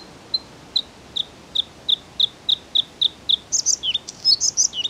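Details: Song of a Bluethroat, opening with evenly spaced, sharp high notes about three per second, then breaking into a rapid jumble of buzzy, slurred and chattering high phrases.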